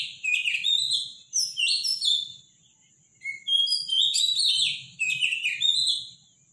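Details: Robin singing in the morning, loud and powerful: high, fast warbling phrases of trills and thin whistles, each a second or so long, separated by short pauses, with a low background hum.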